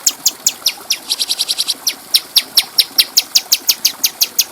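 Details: Bulbul called cucak cungko, clear-voiced master recording for training other birds: a continuous run of bright high chips, roughly four to five per second, briefly quickening midway.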